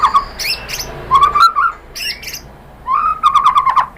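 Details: White-rumped shama lure song used to excite other shamas into replying: low, mellow whistled phrases with wavering pitch, broken by a few sharp high ticks and short silences.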